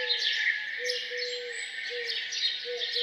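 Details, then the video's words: Farmhouse birds in morning song: soft low hooting notes, some drawn out and some short, under a bright, busy mix of chirps and trills from other birds. "Relaxing sound of birds singing down on the farm"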